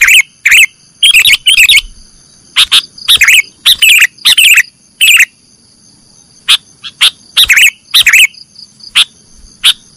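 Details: Training song for cage birds from a sooty-headed bulbul in nggaruda style: clusters of lively chirps and warbles early on, thinning later to isolated sharp notes spaced about a second apart.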